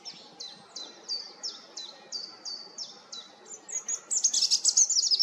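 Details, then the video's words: European robin repeating a quick, high descending note about four times a second, then breaking into a dense, sparkling high trill. "roodborst zang малиновка robin Rotkehlchen rouge-gorge"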